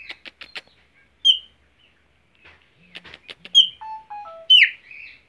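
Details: Chopi blackbird singing while perched on its owner's hand in Mogi das Cruzes, São Paulo, Brazil: clicking notes, then loud slurred whistles and a descending series of clear stepped tones, with a man's voice urging it on.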